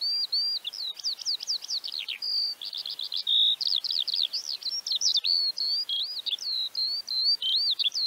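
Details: Song of a Eurasian Skylark recorded in Central Russia: an endless high, fluttering warble of quick up-and-down chirps, repeated trilled figures and brief steady whistles, pouring out without a break.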